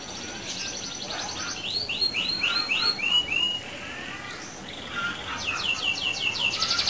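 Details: Canary song of the rolling kind used to provoke other canaries, heard more softly: a few buzzy trills, a series of short falling slurred whistles, a pause, then another rapid roll and repeated sweeps.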